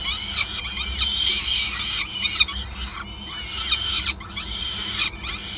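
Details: Peregrine falcons at the nest during feeding, Groningen, 5 May 2020: insistent high squealing in repeated bursts, each a cluster of overlapping slurred notes, with brief quieter gaps and a constant low hum.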